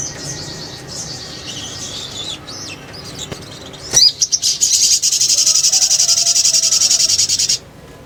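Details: Ngriwik ngleper sunbird song used to lure birds: soft high twittering at first, then a few sharp chips and a loud, fast, even high-pitched trill held for nearly three seconds before stopping abruptly.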